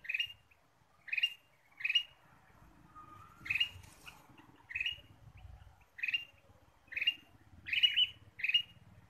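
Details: Bulbul lure sound, ruby-throated species: a long run of bright, rasping chirps at irregular intervals of about a second, with a brief thin whistle near the middle and low rumbling noise throughout.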